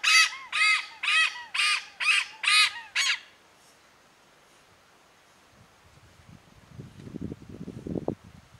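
Malabar pied hornbill giving seven loud, harsh, nasal cackling notes, about two per second, then a pause and low rumbling background noise.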